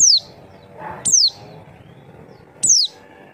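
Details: Javan white-eye lure sound to make birds reply: three clear, high, descending whistled notes, roughly one and a half seconds apart, bright and sharp against a calm background.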